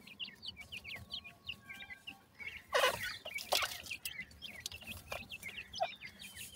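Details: Kept francolin chicks during summer giving thin, high, quickly repeated peeps in a loose chorus, interrupted midway by a loud clattering rustle.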